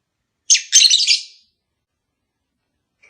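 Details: Lovebird from a kept pair being encouraged to mate: one loud, raspy, chattering burst of fast squeaky notes lasting about a second, then silence and the start of another.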